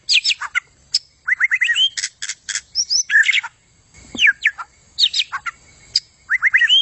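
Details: Vigorous white-rumped shama song of fast mixed phrases: rising whistled slurs, sharp high chips and quick trills, delivered almost continuously with brief gaps.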